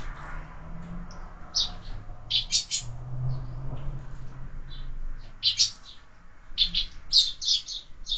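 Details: Sparrows visiting feeders fixed to a window, where birds are fed all year; bursts of sharp chirps repeated through the recording, doubled notes near the end, over a low droning rumble.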